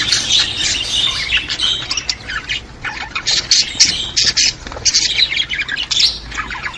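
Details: Budgerigars, used to stimulate budgies: continuous high chirping and squeaky chatter, loud at first and then in choppy bursts, over a faint hum.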